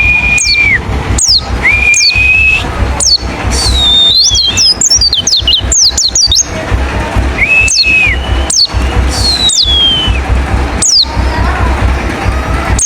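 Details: Wild white-eye lure call: repeated sharp descending whistles with longer level whistled notes, a brief burst of busy twittering in the middle, all over a steady low hum.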